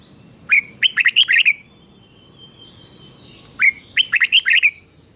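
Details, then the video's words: Doubled 'beun' song of a caged red-whiskered bulbul, slow and clear for young birds to learn. Two matching phrases of fast chirpy warbled notes come about three seconds apart, each beginning with a rising slur. "นกกรงหัวจุกเบิ้ล 1000000% สอนลูกนก ก็อปติดง่าย"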